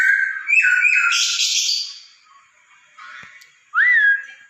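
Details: Masked laughingthrush song used to prompt a pet bird to sing: loud warbled whistles with a harsh, noisy rasp that fades away, then a single rising-and-falling whistled note after a brief quiet gap.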